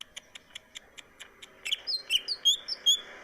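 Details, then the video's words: Greater green leafbird singing in lively form, a song said to put other birds into breeding mood: a run of short evenly spaced clicks about every fifth of a second, then bright high whistled and slurred notes tumbling quickly. "cucak ijo gacor membuat burung lain ikut birahi"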